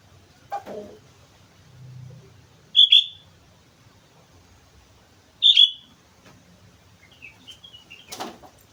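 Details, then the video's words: Sooty-headed bulbul on Mount Slamet singing lively: two short, bright whistled phrases about three seconds apart, with a low rumble, a soft thump and faint chatter between them. "suara burung kutilang gacor gunung slamet"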